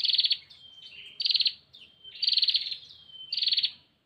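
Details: Calling female bar-winged prinia summoning a male: rapid buzzy rattling bursts high in pitch, each followed by a short sliding whistle, three bursts in four seconds.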